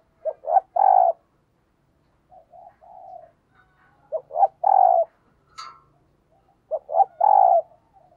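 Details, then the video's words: Spotted dove used as a caged decoy, cooing 'thúc gù' style: three phrases of two short hoots and a full, mellow coo, with softer low coos in between and a brief sharp click near the end. "Chim Cu Mồi Thúc Gù Bài Bản Nghe Rất Xướng Tai, Dùng Kích Bổi Rất Hiệu Quả"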